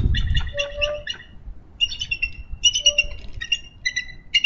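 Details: A nesting female bald eagle in Minnesota, recorded by nest cam on 3 May 2013, calls for her mate to relieve her at the nest. She gives a chattering series of high, piping chirps in short clusters, with a brief low note between them.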